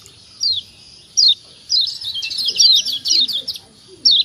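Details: Kecial kuning, a Lombok white-eye, in a recording used to provoke reluctant birds into calling: high, thin chirps sliding downward, first spaced singly, then a dense burst of rapid chirps around the middle, another lone chirp at the end.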